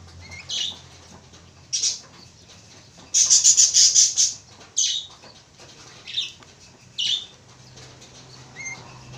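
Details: Javan myna pair calling with short scratchy squawks spaced a second or two apart, broken by a long loud rasping, buzzy burst of rapid pulses in the middle, and a few thin rising whistles.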